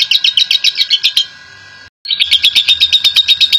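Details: National champion lovebird giving ngekek chatter, a lure to make other lovebirds sing. Quick high chips run in two bursts separated by a short silent break.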